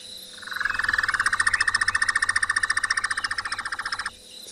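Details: A Square-tailed Nightjar at Tswalu Kalahari Reserve, South Africa, on a quiet, chilly evening on 17 October gives a steady churring trill of rapid, evenly spaced notes, mid-pitched and sustained for almost four seconds, over a quiet night background.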